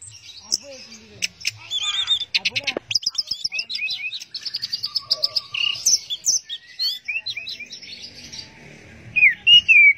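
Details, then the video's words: Orange-headed thrush singing in the 'teler' style: a long, rich, varied stream of high whistles, rapid chattering trills and squeaky sliding notes, fast and uneven, ending in loud clear whistled phrases. "Burung Anis Merah Teler"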